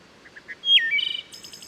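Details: A Wood Thrush sings in steep forested Herring Run stream valley, Susquehanna State Park near Havre de Grace, Maryland: soft introductory notes, a flute-like falling whistle, then a rapid ringing trill, richly reverberating, with woodpecker percussion.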